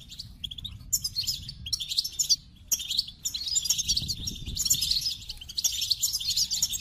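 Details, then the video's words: Goldfinch song in rambling twittering bursts, high tinkling and buzzy notes separated by short gaps, with a soft low-pitched background murmur throughout. "The Captivating Call of Goldfinches"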